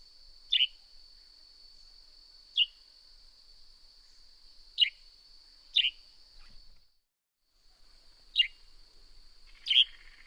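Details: Series of six sharp, falling chirps from a Northern grey-headed sparrow at uneven spacing, over a steady high-pitched drone that drops out briefly midway before resuming.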